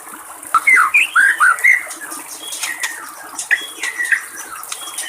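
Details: A wild white-rumped shama sings a few mellow, looping whistled phrases with pauses between them, rather soft against a continuous background of splashing water.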